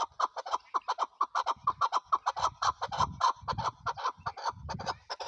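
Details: Chukar partridge, Pakistan's national bird, known locally as chakor, uttering dense repeated clucking notes in a quick pulsing rhythm over a low rumbling background.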